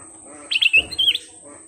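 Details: Black-crested bulbul, singing persistently in a lure recording: a brief, bright phrase of quick, clear chirping notes that lasts under a second, over a constant high-pitched electronic whine.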